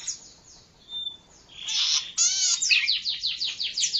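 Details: Zitting cisticola on a bird-luring and training tape: a harsh buzzy burst, then a rapid series of thin, high, downward-sliding notes, about five a second.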